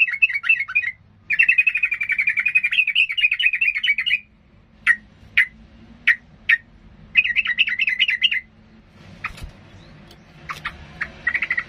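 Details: Agitated yellow-vented bulbul in full, continuous song meant to provoke rivals into fighting: rapid bubbling warbled phrases lasting one to three seconds, separated by single sharp chip notes and short pauses, with a faint low hum behind.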